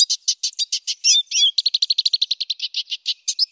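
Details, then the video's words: Clear, loud Black siskin song in a long roll: evenly spaced high chips, two sweeping whistled slurs, then a rapid stuttering trill ending in a bright chirp. "MASTERAN SUARA LANTANG , NGEROL PANJANG BLACK SISKIN / Suara Jernih"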